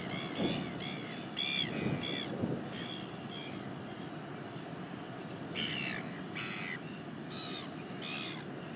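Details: Northern royal albatross, New Zealand, 19 January 2021: two clusters of short, sharp harmonic calls in quick succession separated by a brief pause, with wind gusts and low thumps behind.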